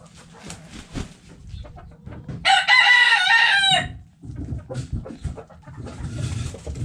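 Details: Backyard coop with hens clucking softly, then a rooster's loud wavering crow for about a second and a half, followed by more clucking and rustle.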